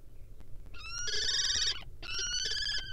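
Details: Inside a barn owl nest box, courting wild common kestrels give two drawn-out, vibrating whining trills, each lasting about three quarters of a second, layered with rich harmonics and separated by a brief pause.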